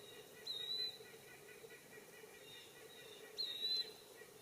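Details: Eastern wood-pewee calling in woodland, two thin, clear whistled notes about three seconds apart, each slurring slightly, over a faint steady background hum; a white-breasted nuthatch and blue jay may be heard in the background.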